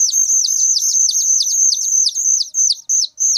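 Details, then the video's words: Young whistling thrush calling shrilly and loudly, a piercing high whistle laced with fast descending chirps around three per second, briefly breaking off near the end. "suara anakan burung ciung Batu sangat nyaring"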